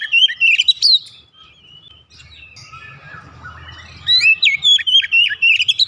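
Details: Oriental magpie-robin in song, for a domestic bird reluctant to sing: a burst of quick, bright whistles, a softer pause with background murmur, then a fresh run of rapid, up-and-down whistled notes.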